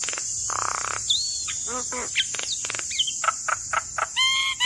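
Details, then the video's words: Asian pied starling used as a training recording for cage birds: a varied, chattering medley of whistled slurs, harsh buzzy bursts, clicks and stacked harmonic notes, with a steady high hiss throughout. "Masteran Burung Jalak Kebo Gacor"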